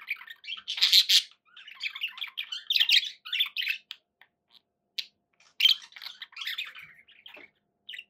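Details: Pet budgies chatter in raspy, buzzy bursts, a loud squawking phrase near the start followed by softer twittering, isolated clicks and a final short chirp after a quiet stretch.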